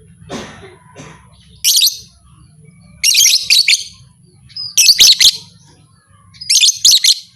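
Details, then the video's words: Lovebird giving calls claimed to turn other lovebirds into fighters: a soft scratchy note, then four loud bursts of shrill, rapid chattering about a second and a half apart, over a low hum. "Suara burung lovebird ini 100% merangsang lovebird lain Jadi Fighter"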